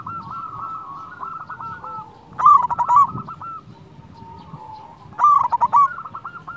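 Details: Loud-voiced local zebra dove used as a lure for silent doves: two bursts of quick, stuttering coos about three seconds apart, set against a continuous softer series of cooing notes.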